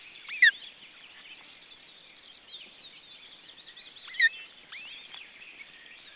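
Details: Osprey at a nest holding a second chick, Estonia, June 2012: two loud, sharp whistled notes sweeping downward, about four seconds apart, over a soft background of thin twittering from other birds.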